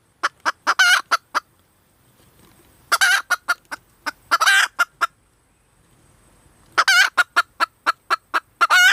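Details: Calls of a female red junglefowl: three bouts of rapid, evenly spaced clucks, each mixed with a longer grating squawk, separated by quiet pauses of about a second and a half.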